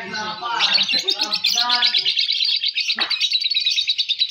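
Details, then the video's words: Young balibu lovebird in competition delivering a fast, buzzy high chattering trill that runs without pause, while voices of people talk at the start. "Suara Burung Loverbird Fighter M1, M2 Balibu Saat Lomba"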